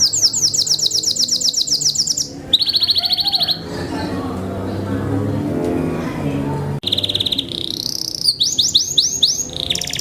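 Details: Belgian Bossu canary, a curved, bent-headed breed kept for contests, pours out fast high trills and a lower rolling phrase, falls quiet for about three seconds of murmur and rumble, then resumes with rattling and swooping whistled trills.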